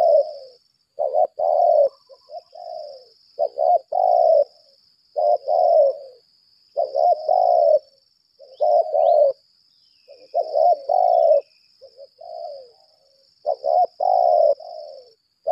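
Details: Long laga contest calling from a 'lambung kuk' decoy spotted dove: about ten low husky coo phrases at roughly even intervals, each a clipped double note and then a rolling falling coo. Steady high whine in background.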